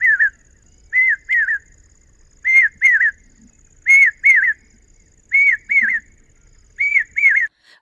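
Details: Brain fever bird, a common hawk-cuckoo, which Maharashtra farmers hear as a Marathi instruction to prepare sowing before the monsoon; loud, clear whistled phrases of two or three falling notes, repeated roughly every 1.4 seconds, with a faint steady high whine.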